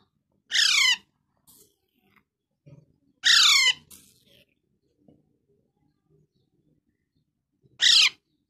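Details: Baby parrot calling with three harsh, buzzy squawks, each sliding downward in pitch with rich harmonics, spaced a few seconds apart in a quiet indoor setting with faint soft knocks between calls.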